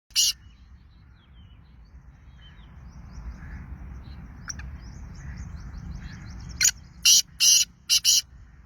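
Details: Black francolin, known locally as kala tetar and described as Sindhi: a quick run of five short, harsh, grating bursts near the end, after a long quiet stretch with faint distant chirps and a low rural background hum.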